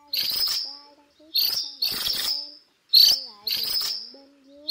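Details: Flock-gathering calls of a cuckooshrike: a series of harsh, scratchy, ringing bursts, some doubled, spaced roughly a second apart, with soft low wavering whistled tones between them.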